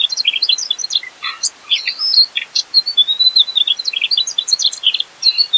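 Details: Mugimaki flycatcher, singing actively with rich fill material: clustered high chirps break into a longer thin whistled phrase midway, then more rapid squeaky notes, all crisp against a quiet background.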